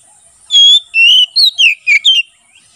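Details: Oriental magpie-robin giving ngeplong song for training birds and luring wild magpie-robins in forest; one clean phrase of six loud whistles, a sustained opening note followed by quick downslurred notes.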